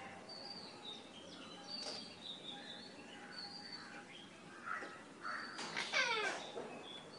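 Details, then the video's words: Eclectus parrot at home in Nawalapitiya, Sri Lanka: after soft scattered chirps and clicks, a loud, harsh, buzzy squawk with a rapidly stepping, descending tone near the end, followed by a brief rough note. "Eclectus Parrot"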